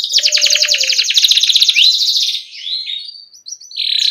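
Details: Canary singing in a lure recording for young birds, in a rolling chirping style: a long fast rattling trill, then short rising and falling whistled notes, ending in another quick trill.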